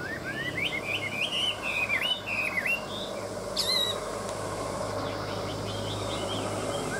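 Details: Caged hwamei singing at midday: clear, rising and falling whistled phrases delivered quickly for about three seconds, then one sharp high note and fading softer whistles over a steady low background hum.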